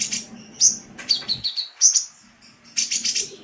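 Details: Sunbird song offered as a tutor recording for songbirds, with high thin whistles sliding downward, sharp chirps, and a closing burst of rapid buzzy notes.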